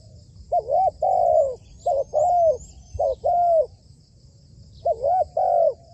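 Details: Spotted dove, a trained decoy bird, cooing in repeated low two-part phrases, a short note then a longer drawn coo, about four phrases in six seconds, with faint high chirping from other birds behind.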